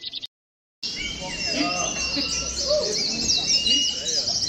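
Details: Many Oriental white-eyes in a simulated songbird contest used for training; after a brief opening snippet and a short silent gap, a continuous wash of high, rapid twittering warbles sets in, with lower slurred notes faintly beneath.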